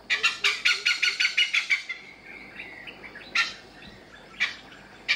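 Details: Male Oriental pied hornbill foraging one morning around a resort at Kaeng Krachan, Thailand, giving a loud, noisy outburst. A rapid run of about nine harsh, cackling notes is followed by scattered single raucous calls.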